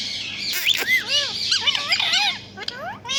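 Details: Loud, dense chatter from a talking parrot imitating a cat: overlapping arched, warbling whistles and meow-like swoops, a harsh burst early, then rising notes near the end.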